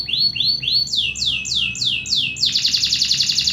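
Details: A local canary sings loudly: repeated high downward-sweeping notes, first three then a faster series, ending in a rapid rattling trill.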